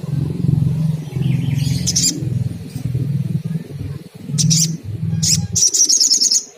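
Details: Sunda coucal recording used to stir the bird into calling: deep, low booming notes run together in long pulsed bursts of about a second each, with brief high chirps and twitters from other birds over the top.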